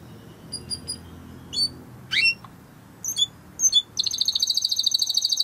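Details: Timbrado canary singing during a training session: scattered short whistled notes and sweeping chirps, then a fast rolling trill of rapid high notes from about four seconds on, over a faint low hum.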